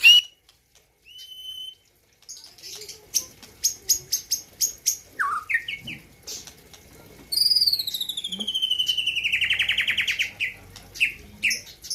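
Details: Aceh white-rumped shama from Gayo land on the road to Presiden Cup 2021: after a near-silent start, scattered sharp ticks and short whistles, then a long buzzy, descending trill lasting about three seconds.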